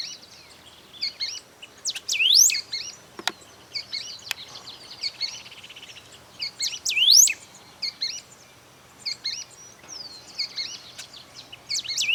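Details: Golden-billed saltator recorded in 2020 at Esperanza, Santa Fe, Argentina: repeated phrases of sharp rising whistles mixed with shorter chirps, loudest near two and seven seconds, with a few clicks between.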